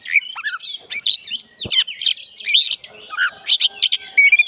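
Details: Energetic song of a black-breasted Oriental magpie-robin in a forest setting: dense jumbled chirps, buzzy trills and short whistled notes run together almost continuously, with a steady faint high hiss.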